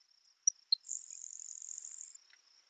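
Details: A Grasshopper Sparrow in Manitoba prairie grassland sings once: two sharp, high ticks, then a long, thin, insect-like buzz over a second; a Sprague's Pipit sings faintly in the background as a thin high tone.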